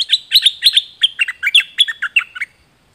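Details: Dok taeng bird singing a lure song used for training and decoying birds: a quick run of about fourteen bright, sharp chirped notes over two and a half seconds, each a short metallic trill, with quiet, clean surroundings.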